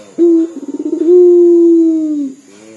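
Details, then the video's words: One phrase from a frequently calling local puter dove, likened to sobbing: a sharp start, a quick stuttering roll of pulses, then a long, smooth, steady coo that tapers and drops at the end. "PUTER LOKAL GACOR DOR SUARA SEPERTI MENANGIS"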